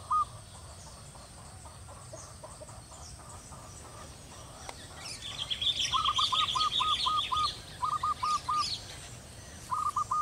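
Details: A pair of zebra doves perched on a teak branch, enjoying cool air after a night of rain that ended months of hot, dry weather; short staccato cooing notes in quick rhythmic runs, with high twittering from another bird and steady background noise.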